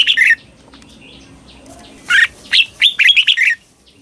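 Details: Red-whiskered bulbul song in the southern Thai doubled style, played so young birds learn it; one short whistled burst, a pause with faint chirps, then a lively two-second string of jumping, fluty notes.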